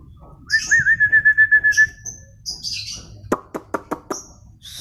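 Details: White-rumped shama singing at home: a rapid trilled whistle near one pitch, high scratchy notes, then a series of sharp clicking notes repeated evenly.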